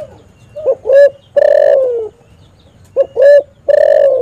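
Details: A spotted dove used as a calling lure for trapping gives two close, loud phrases. Each has a brief hiccuping note, a stronger coo, then a long coo that slides gently downward.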